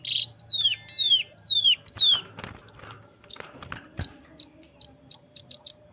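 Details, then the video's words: A leafbird sings a tight, rapid-fire song: loud, high, downslurred whistles about every half second, then quicker short bright chips, with faint background clicks. "Masteran cucak kinoi tembakan s4d1s tembakan rapat"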